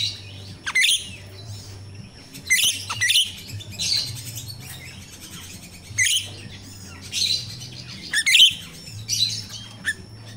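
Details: Jalak rio-rio myna recorded in nature for use as a lure with untrained captive birds: loud rasping, squeaky chatter phrases repeating every one to two seconds, separated by short pauses, over a low drone.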